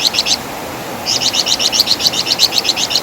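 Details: Javan fulvetta, known in West Java as wergan jawa, used as a master song for training songbirds: rapid, evenly paced sharp high chirps, a brief burst then a longer run after a pause.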